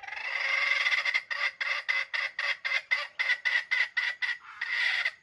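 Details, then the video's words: Wild jungle chicken bait bird, older but with a young crowing voice, calling for trapping. One long rasping note leads into a fast stutter of about fourteen clipped, bright syllables, closing with another drawn-out harsh note. "Trap jungle chickens old bait crowing young voice"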